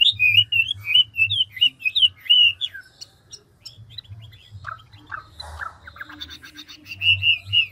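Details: Mature wild-caught Chinese hwamei in fast ngũ trường song: a string of rapid, clear, looping whistles for several seconds, then scattered lower slurred notes and brief harsh noises before whistling resumes.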